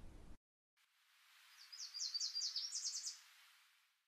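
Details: Eastern Kingbird in regrowing shrubs along restored Sevenmile Creek, early August, cloudy sky, giving its electric-spark call: a quick sputtering run of about ten sharp, high zips over a second and a half, after a brief low rumble.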